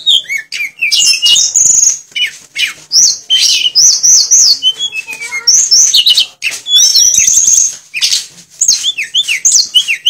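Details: Loud, nonstop 'nyuling' song of a Sulingan (Tledekan) packed with imitated fill-ins: dense high whistles, fast chirps, falling note series and squawky bits, barely pausing throughout.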